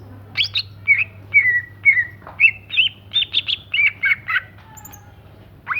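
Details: Song of a greater green leafbird, its singing described as lively: varied whistled and chirping notes, some slurred downward, others rising, delivered in an irregular run of about two per second over a low steady hum.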